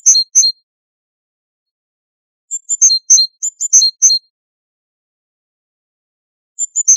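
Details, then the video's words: Great tit singing on a tape used to tutor goldfinches: brief sharp high chirps, then a tumbling run of ringing notes, a long silence and a fresh phrase at the end. "تغريد طائر الحداد"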